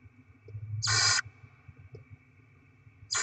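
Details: Barn owl chicks fed with rodent deliveries, 7 February 2024: one harsh noisy screech lasting about a third of a second, then quiet hum and low rumbling before a second screech begins at the end.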